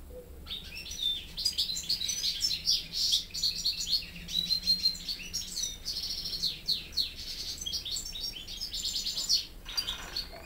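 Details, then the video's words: During a song lesson, caged young European goldfinch hybrids listen to a goldfinch tutor other than their father. A long, continuous stream of bright, rapid, high twittering notes and trills runs in loud bursts almost throughout. "Saka Melezlerim Ders Alırken"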